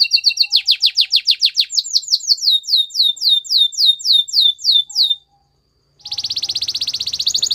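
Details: Training song of a canary: fast trilled notes accelerate into a string of loud, descending slurred whistles, roughly fifteen in a row. After about a second of silence, a dense, buzzy trill begins.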